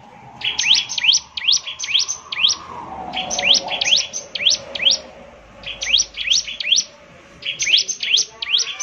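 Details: Bar-winged prinia singing in short bursts of three to five sharp, high, swooping notes separated by brief pauses, with a soft low hum in the background.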